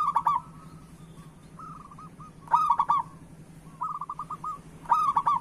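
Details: Local zebra dove cooing, used as a prompt for lazy doves: loud bubbling phrases of short rapid notes recur about every two and a half seconds, alternating with softer, evenly spaced coos from other doves; low background hum.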